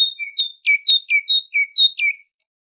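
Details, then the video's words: Tit song used as a training recording for goldfinches: a clear two-note phrase, a high whistle dropping to a lower note, repeated about seven times in quick rhythm. No other sounds. "تغريد طائر الحداد ( القرقف) شريط تسميع الحسونChant de la Mésange"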